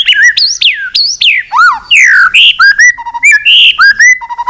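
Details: White-rumped shama singing a long song meant to provoke fighting, with tail-flicking clicks mentioned. Loud, varied whistled phrases swoop up and down in quick succession, with sharp rising notes, falling slurs and short steady tones.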